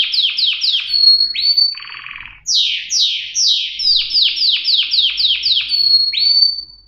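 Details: Canary in full song: quick runs of descending chirps, sustained whistled notes, a short buzzy rattle, then more rapid trilled phrases and long clear whistles.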